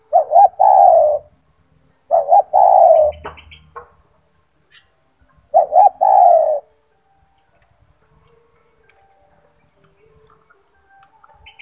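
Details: Three rhythmic coo phrases from a caged gacor turtle dove with a big, loud voice, used to train other doves to sing. Each phrase has two quick notes and a long falling note, followed by quiet.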